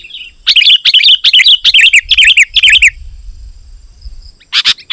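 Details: Sooty-headed bulbul in lively chattering song meant to challenge rivals and lure wild bulbuls: a burst of about ten sharp, buzzy chirps in quick succession over two and a half seconds, then a pause and a brief final chirp.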